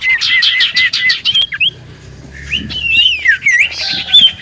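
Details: Common iora singing energetically as a lure to provoke replies from other ioras: opens with a fast run of harsh, rasping repeated notes, then a pause and a stretch of looping, wavering whistles rising and falling.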